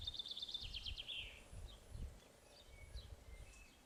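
A sparrow gives a quick run of bright chirps that tumble downward in about a second, followed by a few faint notes over low wind rumble.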